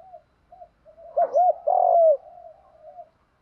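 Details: Spotted dove cooing in the "Đồng" voice, used to attract wild doves; two quick hoots then a long sliding coo, with a softer coo trailing behind.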